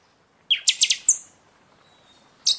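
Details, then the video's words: Buffy-fronted seedeater singing during the season, used to stimulate caged birds after moult: a short burst of five bright, high notes from a low rising start, then a lone sharp high note after a pause. "Pixoxó cantando muito na temporada"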